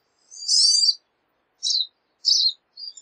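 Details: Pine siskin giving a long, harsh, high buzzing note, then three shorter buzzy bursts separated by silent gaps.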